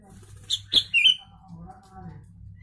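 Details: A sooty-headed bulbul carrying learned Javan myna phrases sings three loud, clear whistled notes in quick succession, the last slurring downward, then a quiet hum remains.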